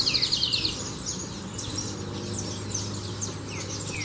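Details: Domestic canary singing at length: a short, bright, rapid trill of evenly repeated high notes opens, then fainter scattered chirps and twitters over a steady low background hum.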